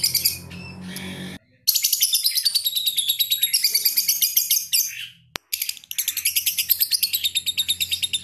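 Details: Lovebird called ambrol, mabung konslet, giving long bursts of rapid shrill trilling broken by brief pauses and a sharp click, with some low background noise at the start.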